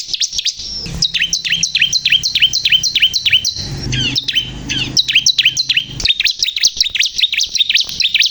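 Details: Energetic song of a bar-winged prinia, called ciblek kristal: a steady, insistent train of high downslurred chirps repeated for over eight seconds, briefly broken by jumbled notes midway, with faint low noise behind.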